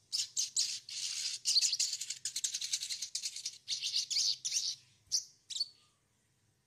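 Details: Sogon chatter meant to prompt fresh birds to sing: a continuous stream of rapid, rattling high notes in short bursts, ending with a few separate chirps and a faint low hum beneath.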